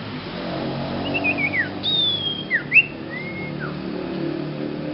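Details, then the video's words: Young sirpu with an unusual voice, giving scattered whistled slurs, some falling, one long high note and short upward flicks, against a steady background rumble. "Kicau Burung Sirpu pemula Bersuara Aneh"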